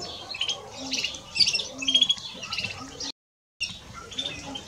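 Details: European greenfinch, male and female, with quick clusters of chirpy twitters and a brief trilled note. A short, complete dropout is followed by softer twittering.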